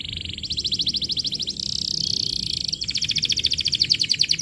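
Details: Canary song used as a lure recording for training young canaries: rapid trills of repeated notes, switching between buzzy rolls and bright pulsed tours, delivered continuously without pause.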